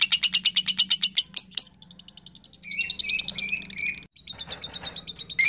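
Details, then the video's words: Young lovebird in long chattering song: a fast run of about a dozen sharp repeated notes, then rapid squeaky twittering with shrill whistled phrases, ending in busy chatter. "LOVEBIRD MASIH MUDA NGEKEK PANJANG"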